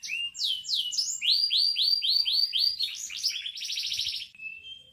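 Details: Canary in full song: quick sliding whistles repeated in regular series, then a dense buzzy trill that fades out, with a near-silent background.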